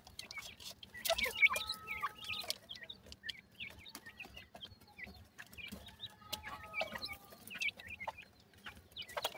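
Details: Partridge chicks being fed give a steady stream of thin, high peeps, several every second, with a few longer level whistles and clucky notes mixed in.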